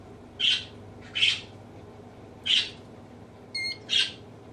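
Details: Male African grey parrot at home imitating human sneezes and nose blowing; four separate explosive hissy bursts plus a brief buzzy tone, spaced by short silences.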